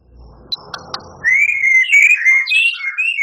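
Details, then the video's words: White-rumped shama in full song with harsh fill-in phrases: a faint background murmur with a few clicks, then a loud, continuous run of clear whistled notes that wander up and down in pitch. "Suara Murai Batu Juara,Tembakan Murai Batu Gacor Full Isian Kasar Panjang Mewah"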